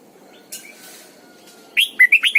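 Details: After a quiet start with faint chirps, a caged decoy red-whiskered bulbul in morning song, double-note mature wild style, bursts into a short phrase of four bright warbled whistles.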